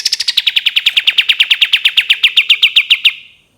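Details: Cream-vented bulbul in a long 'tembakan' shooting song: a rapid, dry trill of about twenty-two sharp notes over three seconds, opening high and quickly settling lower, then fading out.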